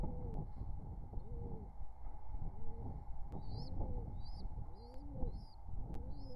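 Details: Wild pigeon pair courting near their nestlings, summer 2023: low, arched coos repeated about every second over a steady hum, with high thin chirps from another bird above.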